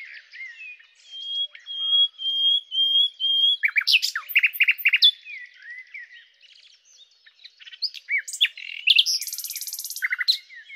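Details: Song of a common nightingale (Luscinia megarhynchos): a string of long pure whistles, then sharp loud repeated notes, softer varied twitters, and a final dense buzzy trill.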